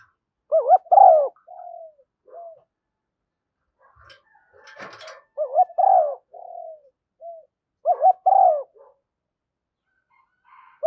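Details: Female spotted dove lure recording meant to draw in wild doves, thúc gù and gáy gọi styles: mellow double coos, each followed by softer trailing notes, repeated three times. A brief rustling click sounds in the middle.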